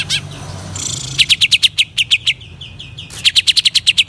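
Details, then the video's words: Greater green leafbird singing vigorously, used to stir up other leafbirds. It opens with a few sharp chirps and a buzzy rush, then fast runs of bright, clipped notes, a pause, and another rapid burst of repeated notes. "cucak ijo gacor, menaik kan emosi cucak ijo jamtrok"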